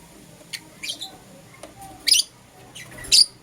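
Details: Morning calls of pet lovebirds, a green opaline Euwing and a lutino: a few separate shrill, rasping squawks, the loudest two about a second apart, with soft clicks between over a quiet room.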